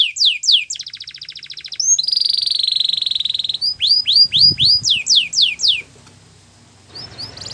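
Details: Singing canary, song for training canaries: quick sweeping chirps, a rapid even trill, a sustained buzzy roll, then a run of repeated downward whistles before the bird falls quiet, with a faint rustle.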